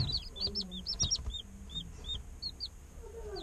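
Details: Young day-old chicks cheep rapidly at first, with clustered high down-slurred notes. The chirps then space out into single soft peeps over a faint low hum.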